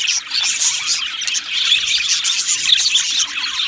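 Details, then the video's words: Many budgerigars in an aviary chatter at once, making a bright, buzzy warble mixed with short squeaky chirps and a steady hum beneath. "Beautiful Budgies Birds Singing and Chirping Sounds"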